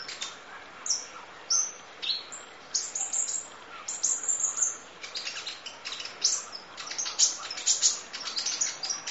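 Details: Masteran training audio of full sunbird song, local name kolibri ninja: high, shrill chirping phrases with quick twittering runs and brief whistles, coming in irregular surges over soft hiss.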